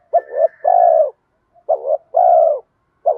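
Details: Spotted dove lure calling, 'giọng đồng' bronze voice with 'mắt me' notes to draw wild doves in; clipped double coos followed by long smooth coos, repeated twice, a faint high whistle over the first phrase.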